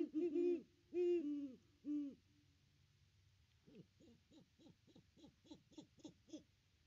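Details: Nest cam at a great horned owl nest tree, Christmas Day 2021, with the pair visiting. Three loud deep hoots open, then a quieter rapid train of about a dozen short hoots at a steady fast beat.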